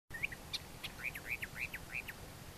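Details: Warbler, Sylvia crassirostris or hortensis, singing a quick run of short, slurred whistled notes of fairly even pitch over a steady low background hiss.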